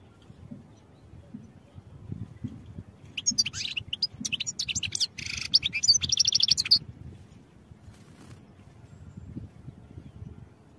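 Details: Training song of a European goldfinch: after several seconds of near silence, a dense four-second burst of high tinkling twitters and buzzy notes, then quiet low rumble again.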